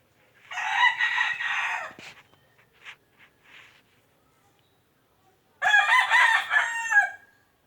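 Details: Rooster crowing twice, each loud harsh cock-a-doodle-doo lasting about one and a half seconds, separated by a pause of soft scattered clucks and small noises.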